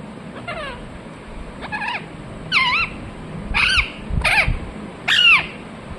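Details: Parrot reported to be talking "mithu mithu": six strained, nasal, wavering syllables that grow louder over the clip, spaced about one second apart, with faint low rumble beneath.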